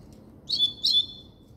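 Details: Double-collared seedeater giving two short, bright whistled phrases, each a sharp high note drawn into a level tone, separated by a brief gap.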